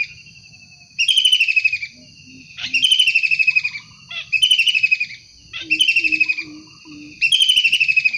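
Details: Energetic wild kingfisher calling: five harsh, pulsing chatter phrases spaced over a second apart. A series of soft low hoots and a continuous thin high tone run underneath.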